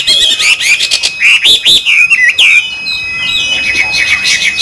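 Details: Chinese hwamei in captivity gives a burst of clear, swooping whistled phrases, then the song fades to quieter, thinner notes in the second half.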